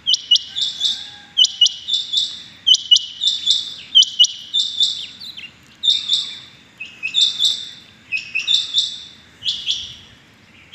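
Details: A rain quail, recorded in the morning on 6.7.21, repeats ringing high doubled notes in quick bursts, around nine bursts in eleven seconds, steady and insistent against a quiet backdrop.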